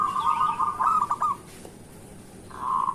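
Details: Local zebra dove singing actively, a morning lure to prompt sluggish doves to sing: a soft, rolling cooing trill of quick beaded notes, a pause, then the next phrase beginning.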